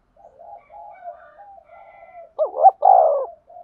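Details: Spotted dove used as a trapping lure, cooing: a long stretch of soft, low, mumbling coos, then a loud phrase of a bent, wavering note and a fuller drawn-out coo.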